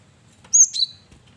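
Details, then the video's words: Cinereous tit male in full voice, kept as a lure bird, giving a sharp high whistle that slides down into a lower second note, delivered once in quiet surroundings. "Burung Gelatik Batu jantan||Burung Gel wingko Gacor Variasi Buat Pancingan"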